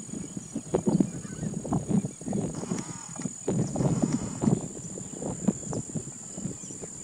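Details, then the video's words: Spotted rail calling with dense runs of deep, percussive clucks and grunts that rise and fall in loudness like hoofbeats. A constant high-pitched whine sits underneath. "Spotted rail/Gallineta overa!"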